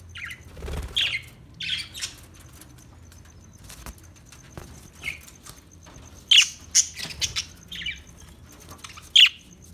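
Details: Australian budgie giving short, sharp, high chirps spaced irregularly over quiet background, some in quick pairs.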